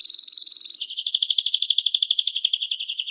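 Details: Canary song from 2017: a brief level high trill shifts abruptly into a faster, buzzier rattle of rapid repeated notes that runs on steadily to the end. The background is clean.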